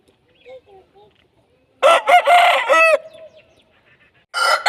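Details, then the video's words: Aseel rooster crowing: faint soft clucks first, then a loud, harsh, broken crow of about a second with a falling tail, and the start of a second crow at the end. "Aseel Roosters Crowing"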